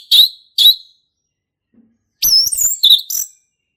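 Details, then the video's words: Male orange-headed thrush singing in the wild forest, ngeplong style: two short sharp notes, a pause, then a scratchy, varied phrase of high twitters and slurred whistles. "SUARA ASLI HUTAN ANIS MERAH JANTAN GACOR NGEPLONG"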